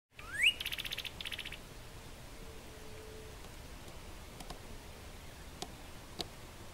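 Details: At dawn during a hunting trip in Mexico, a Northern cardinal (Cardinalis cardinalis) gives one brief phrase: a loud upslurred whistle, then two quick runs of rapid high notes, followed by a few faint ticks and quiet background.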